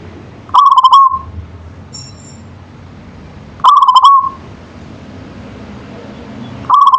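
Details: Local zebra dove (perkutut lokal) singing in manggung style: short rolling, stuttering coo phrases near mid pitch, each about half a second, repeated roughly every three seconds over low hum, with a faint high chirp from another bird between phrases.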